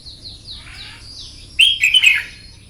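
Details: Morning contest-training song of a red-whiskered bulbul, meant to fire up birds for song contests. Soft descending whistled slurs come first, then a loud, rich burst of rolling, warbled notes near the end.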